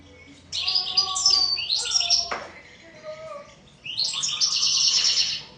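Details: European goldfinch song: bursts of bright, rapid twittering and tinkling notes high in pitch, with a pause between two phrases; faint lower tones in the background.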